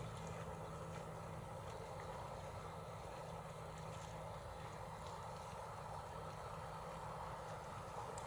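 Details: A steady engine drone, like a distant propeller aircraft, fills an outdoor scene with no animal calls audible.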